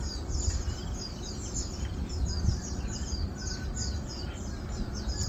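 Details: Asian glossy starlings, 4 August 2022, keep up a continuous run of high, thin, downward-flicking chirps, many overlapping, with a faint level whistle in the middle, all above strong low background noise.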